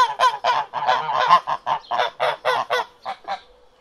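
Domestic ducks give a rapid run of harsh, nasal quacks, several per second, fading at the end.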